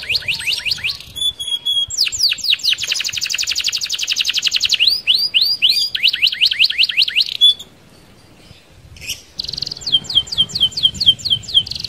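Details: Canary with a rolling song for luring other canaries: dense fast trills and swept whistles in varied phrases, a short silent gap, then repeated falling notes.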